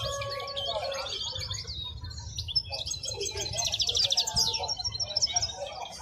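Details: Wild-caught European goldfinch, a caged bird at Al-Qurai'a bird market, sings rapid high twittering phrases with buzzy trills and sharp chirps, while market chatter and human voices murmur low beneath.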